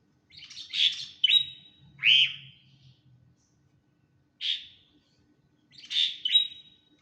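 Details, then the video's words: Sooty-headed bulbul, described as stressed and seeking attention, giving four bursts of harsh chirps, each rising into a short whistled tail, spaced over seven seconds with brief pauses between them. "burung kutilang setres lagi caper"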